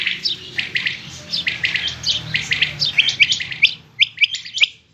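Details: Quail, given as harlequin quail, king quail or female rain quail, calling in quick, high, chirping notes, several birds overlapping in a busy run that thins to sharper single chirps near the end.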